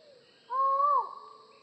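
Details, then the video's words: One clear, sustained hollow note from a collared forest falcon, gently rising then sliding down steeply at its close, followed by a short echoing tail. "Falcon Call Video: Collared Forest Falcon Bird Sound"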